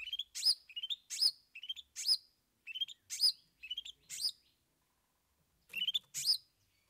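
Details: Long-tailed shrike (cendet) singing in a performance of three 'isian' fill-in songs: loud bursts of sharp, high chirps and squeaky notes in quick clusters, each phrase roughly a second apart, with short pauses and a quiet gap before a final burst.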